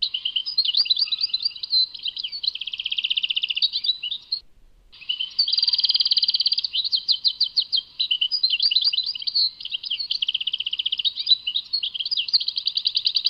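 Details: Long, nearly continuous European goldfinch song from Tadmait: jangling twitters alternate with buzzy trills and fast repeated notes, broken only by one short pause.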